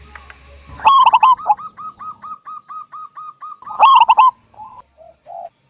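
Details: Zebra dove, local type with big kung voice, singing to lure other doves: a loud burst of clipped coos, a run of about a dozen soft regularly spaced notes, a second loud burst, then a few low trailing notes.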